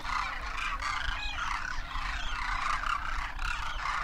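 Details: Huge winter flock of wild Demoiselle Cranes in Rajasthan, India, adults with first-year juveniles, calling as they take flight; loud cacophony of overlapping trumpeting, croaking calls with a low rumble underneath.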